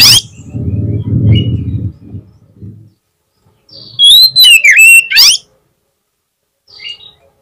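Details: Oriental magpie-robin lure song for provoking a rival: low rumbling noise fades out, then a loud one-second burst of whistles, buzzy slurs and a rising trill, followed by quiet and a faint short phrase.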